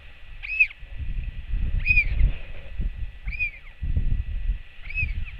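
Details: Royal albatross chick on a nest camera welcoming its returning mother with a skycall, 8 June 2024: four arched, whistled notes with a nasal edge, about one every 1.4 seconds, over low wind rumble.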